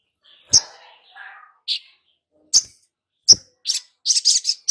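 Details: Long-billed spiderhunter on a lure recording meant to make untrained birds sing and chatter. Sharp, clipped high chips come singly about every second. Softer warbled notes appear between them, and the clip ends in a quick buzzy cluster.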